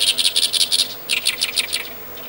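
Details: Oriental reed warbler on a rainy 20 June 2013 giving harsh, grating notes in two rapid chattering bursts of about eight notes a second, over a soft steady hiss.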